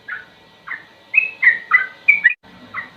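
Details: Quieter passage of slow sooty-headed bulbul song for tutoring: spaced soft whistled notes, then a quicker cluster of bright rising and falling phrases before a short break.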